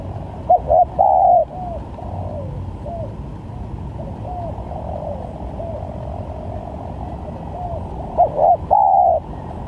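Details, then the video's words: Spotted dove cooing used as a trapping lure. A loud phrase of short notes and a long coo opens and closes the stretch, with softer, distant-sounding coos in between over a low engine-like rumble. "Pancingan Tekukur||Berpariasi Bunyinya||Cocok buat Mancing Pikat"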